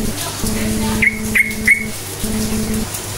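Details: Yellow-vented bulbul in lively lure song meant to provoke silent bulbuls into singing: three short, sharp upslurred whistled notes spaced about a third of a second apart, over a steady low mechanical hum.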